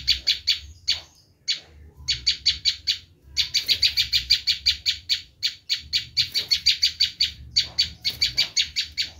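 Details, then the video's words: Harsh, rasping notes from a Bar-winged prinia screaming, a sound used for luring wild prinias, delivered in long fast runs of evenly spaced buzzy chips with only short breaks. "Suara asli prenjak lumut menjerit"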